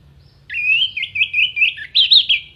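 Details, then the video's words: Orange-headed thrush pouring out a continuous wavering warble of linked whistled and chattering notes, ending in a louder sharp flourish; clear vocal mimicry recorded for tutoring contest songbirds. "MASTERAN ANIS MERAH GACOR FULL ISIAN TEMBAKAN TAJAM VOKAL JERNIH DURASI PANJANG ISIAN BURUNG LOMBA"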